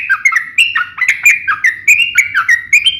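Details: A sooty-headed bulbul's fighting song, sharp and rapid, used to provoke other bulbuls to sing. Level whistles alternate with brief downward-dipping notes in a lively, bouncing rhythm, with a soft low hum in the background.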